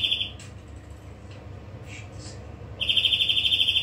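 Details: A greenfinch trill cuts off at the start. A few soft, scattered chirps follow, then a new rapid high trill begins about three seconds in.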